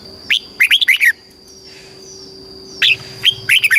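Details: Caged red-whiskered bulbul from Thailand, southern master-style song used to stimulate caged birds and teach young birds. Two bursts of bright, bubbly whistled notes, rising and falling, separated by a pause, with a steady faint electrical tone throughout.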